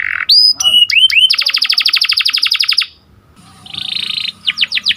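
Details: Canary song of the sharp rolling type used to rouse breeding canaries: a few slurred whistles lead into a long, very fast pulsed trill, a short hush, then a buzzy phrase and quick swooping notes.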